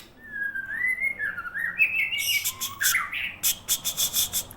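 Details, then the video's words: White-rumped shama of the Aceh form delivering long, smoothly rising and falling whistles that climb in pitch, then breaking into a series of harsh, scratchy buzzing bursts repeated quickly toward the end. "Pastol Murai Aceh"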